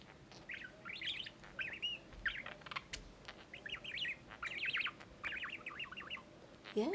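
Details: Budgerigar chatters in a fast, scratchy warble of chirps and squeaks in short bursts as two male budgies, one 22 months and one 18 months, meet for the first time, curious and friendly; a human voice at the end.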